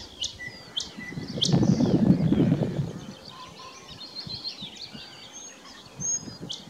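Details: A thrush nightingale (Luscinia luscinia) sings at Löderup on 19 May 2021: sharp, dry clicking notes and thin high whistles over a low rumble of wind or distant noise.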